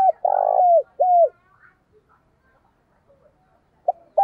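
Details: Decoy spotted dove's resonant morning call: the tail of a phrase with a long vibrating coo and a falling final note, a pause with faint ticks, then the next phrase beginning.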